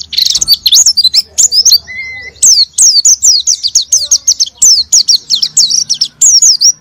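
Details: High, fast chattering song of an oriental white-eye used as a lure to make a silent white-eye sing; wavering looping notes run nearly continuously, with a brief steady lower whistle near the two-second mark.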